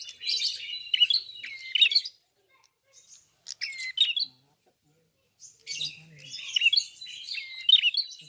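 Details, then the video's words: Red-fronted prinia, called klawu locally, sings lively twittering phrases packed with sharp chirps, pausing for a few quiet seconds before resuming an energetic, dense run of chirps. "BUKA PARUH FULL GACOR BURUNG PRENJAK KEPALA MERAH/KLAWU"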